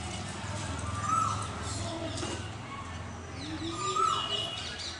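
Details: Male Asian koel calling "kuhoo": two clear whistled notes about three seconds apart, over steady low background noise and faint chatter.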